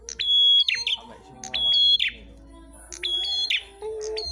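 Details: Ashy tailorbird (prenjak kepala merah) singing while fighting, a singing duel considered good for tutoring other birds: three long flat whistles, each closed by a rapid descending twitter, with a soft tone and quiet background.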